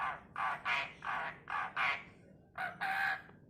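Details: Tame Asian pied starling kept as a pet, talking: a run of harsh, voice-like syllable bursts in two groups, mimicking spoken words with a hoarse, speech-like rhythm.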